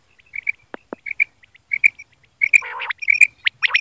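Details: A quail, in a recording of quail night calls, gives quick, high chirping notes in short irregular bursts, broken by two sharp clicks and a brief harsh squawk.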